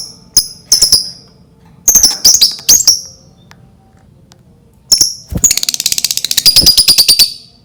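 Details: Lovebird used as a lure to prompt other lovebirds into song: scattered high clicks and sharp chirps, then a rapid chattering trill of fast repeated notes building over the final two seconds.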